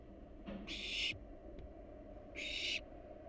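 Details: Wild barn owls at a monitored nest box. Two harsh, hissing screeches, each about half a second long and broad and rasping, are spaced roughly two seconds apart over a low background rumble.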